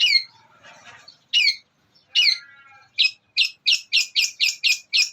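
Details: Long-tailed shrike (cendet) mimicry master song for training songbirds, with church, thunder, Armagendon and Kuntilanak styles; harsh squawking notes spaced apart, then a quickening series of loud high rasping notes.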